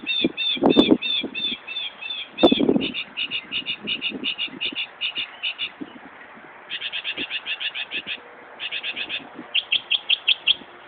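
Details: A Northern mockingbird imitates a car alarm in Buckland Park, Brighton, NY. It gives bright, buzzy repeated phrases in fast electronic-sounding runs with short pauses between series, and two brief thumps near the start.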